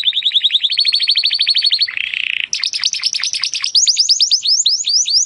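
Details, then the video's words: Timbrado canary singing, training audio for improving canaries' song: a fast even rolling trill, a brief harsh buzzy section, then deep down-slurred notes and rapid upward-curving whistles. "AUDIO mas PODEROSO de TIMBRADO para el ENTRENAMIENTO"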